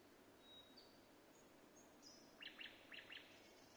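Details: Nightingale song recorded in Vinnytsia, Ukraine, 25 May 2024: thin high whistles lead into four sharp, loud downward-swept notes repeated in quick succession, with soft background noise throughout.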